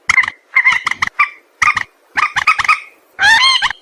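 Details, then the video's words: White-breasted waterhen calling, used as a lure for trapping birds: harsh, nasal croaking notes in quick clusters of two to four, repeated after short pauses, ending with a longer, louder honking note. "suara mandar sawah"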